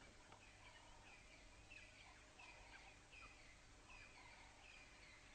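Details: A Crowned Lapwing near its nest gives a loud, harsh, strident alarm call at 7:03 am on 4 June 2010, on a morning game drive: sharp notes repeated about every second, fairly faint over steady background noise.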